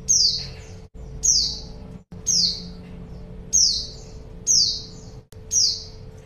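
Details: Female white-eye used to lure a male into answering: six high, thin, downward-slurring calls, each starting sharply and trailing off, about one per second, with a low steady hum underneath.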